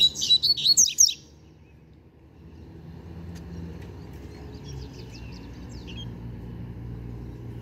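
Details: Young novice double-collared seedeater singing: a loud, rapid second-long burst of high, buzzy twittering notes, then quieter scattered high chips over a steady low rumble like distant traffic.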